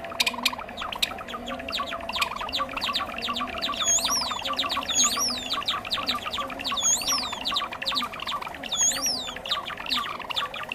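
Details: Java sparrow trapping-lure recording, a bird of rice fields and farmland: crowded high ticking and chirping, joined midway by looping whistled phrases about once a second.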